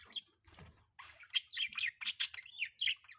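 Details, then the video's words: Pet budgerigar chirping during mating season in the morning, quick sharp chirps and twittering notes tumbling one after another, beginning with a brief soft rustle. "budgie chirping sound"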